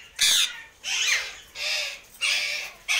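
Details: A pet yellow and green Alexandrine parakeet (Psittacula eupatria) gives loud, harsh, rasping screeches, four in quick succession about two-thirds of a second apart.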